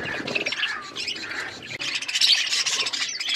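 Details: Budgies chattering as they feed, with busy overlapping high chirps and buzzy squeaks that swell louder after a short dip halfway through.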